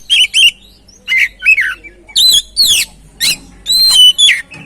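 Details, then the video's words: Oriental magpie-robin lure song to rouse a stressed, quiet bird: harsher chattering phrases mixed with whistled slurs and scratchy notes, in short bursts over under five seconds. "Pancingan Burung Kacer"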